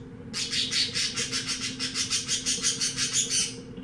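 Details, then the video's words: Canary bought in a pet shop, breed not known, delivering a fast pulsing trill of bright high notes, about five beats per second, steady for three seconds, with a constant low hum behind. "Canario cantando"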